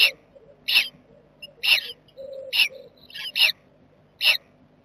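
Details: Nest-box jackdaw family on 7 May 2020: sharp, brief squeaky calls about every second, with a few softer low murmurs between them and a faint steady hum.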